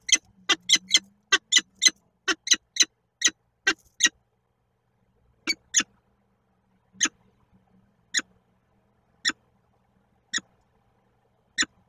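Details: Female peregrine falcon visiting the nest in Koszalin, Poland, on 5 August 2023, calling to the male, captured by a nest webcam; a fast run of sharp clipped notes, about three per second, then slowing to single notes roughly every second.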